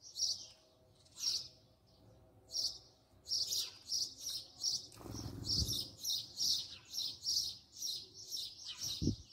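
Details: House sparrow recorded up close, chirping steadily in a long series of short, sharp notes roughly every half second, with a brief low thump or rustle midway and another near the end.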